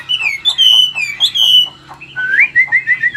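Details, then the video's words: Caged wild-caught adult Chinese hwamei from Vietnam, kept for sale, singing in the wild-bred style: loud clear whistles sliding and warbling, with a quieter pause before a bright rising phrase of repeated twisting notes. "Chim già rừng, Cao cầu - Bộ to mẫu chim rất đẹp- Giọng rừng"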